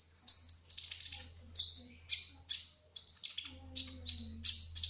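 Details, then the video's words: Spotted kolibri ninja hummingbird singing a long opening whistle, then a string of short, bright, high chirps and falling slurs at irregular intervals, over a faint low drone. "Kolibri Ninja Trotol Gacor Ngerol : Singing Hummingbird"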